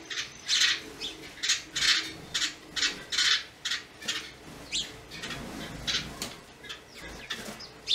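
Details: Loud, harsh, rasping notes from a yellow-bellied wattle-eye, repeated in an uneven stream with short gaps, some notes scratchy and slightly drawn out.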